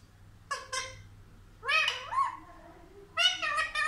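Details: Pet Indian ringneck parakeet that speaks words for mummy and papa, producing nasal, meow-like talking syllables in three bursts, the middle one drawn out and wavering.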